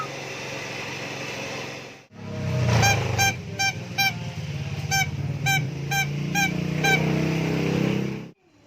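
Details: Clever myna imitating several sounds: a run of about ten nasal, honking notes rich in overtones, repeated roughly twice a second for four seconds over a steady low engine-like rumble.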